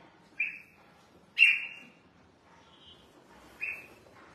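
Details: Red-whiskered bulbul, a kept bird being bathed and sunned, gives short bright whistled notes that sweep slightly downward. Three separate phrases come about a second or two apart against a quiet background.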